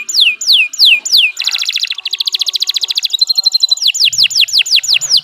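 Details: Canary song recorded as a master for training other birds: repeated falling whistles, a buzzy rolling trill, a steady fast rattle, then loud descending slurs repeated several times a second.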